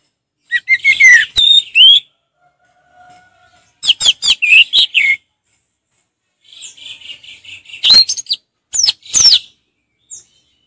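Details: Relaxed ngeplong song of an orange-headed thrush, with bursts of sharp chirps and slurred whistles separated by short pauses and a faint low hum between phrases.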